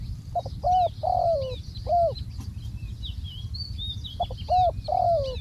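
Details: Decoy spotted dove cooing at ground level: two matching phrases, each a short note, a rounded coo and a longer falling coo, about three seconds apart, with soft twitters of other birds in the background.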